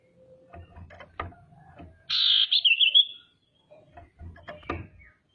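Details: Female common iora calling as a lure to excite rivals: one buzzy whistled phrase that wavers and then steadies, about a second long, between soft knocks and rustling clatter.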